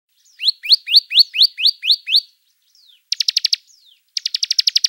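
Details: Bar-winged prinia singing actively: a run of about eight sharp upslurred whistled notes, then two bursts of rapid dry clicking trills separated by short thin downslurred notes; quiet background.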